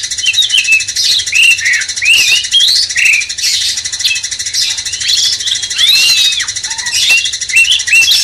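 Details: Song of a cucak cungkok bulbul meant to rouse magpie-robins: lively sequences of slurred, arched whistles and quick chirps, over a continuous high buzzing hiss.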